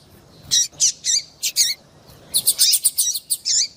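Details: Calls of a female double-collared seedeater, meant to stir a male to sing: a few spaced, bright, high chirps, then a rapid string of about eight thin, sweeping notes.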